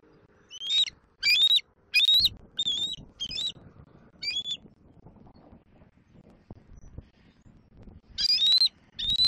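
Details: Juvenile bald eagle squeeing at its mother near its Southwest Florida nest, April afternoon: a fast run of six high, rising whistled squeals, a quiet gap of a few seconds, then two more loud squees.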